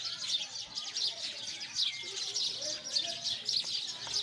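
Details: Sparrows chirp noisily in a group, with quick high notes tumbling over one another and a few louder, sharper chirps.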